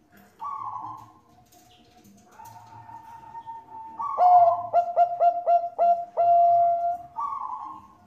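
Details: Bangkok-type zebra dove song, a female calling the male, used as a lure to set other doves singing: breathy hissing notes, then a loud clear coo broken into quick stuttering pulses about four per second, ending in a long steady coo.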